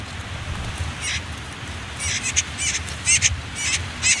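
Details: Common whitethroat nestlings, last day in a nest beside a river, tucked under reeds and nettles: quiet opening, then rapid hissy high chirps crowd in from the second second onward above a steady low hum.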